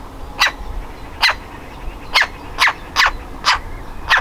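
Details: Young woodpecker about to leave its nest hole calls repeatedly: seven loud, raspy squawks at roughly half-second to one-second intervals, fairly even in strength, over a low background rumble.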